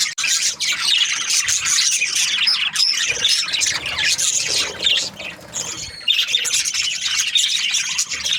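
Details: A flock of Australian budgerigars during breeding season produces steady overlapping chirps, squeaky whistles and harsh warbling chatter, briefly softer around five to six seconds.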